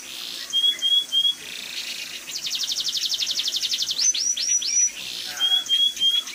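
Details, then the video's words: A munia sings in a canary-like style: thin high whistles, then a fast buzzy trill of about twenty notes and a few sweeping upslurs, all very high-pitched. "burung pipit suara kenari"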